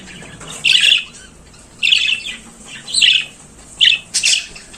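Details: Budgerigar singing in the morning: five separate harsh, buzzy chirps centred high in pitch, spaced roughly one second apart, each short and scratchy, over a quiet background.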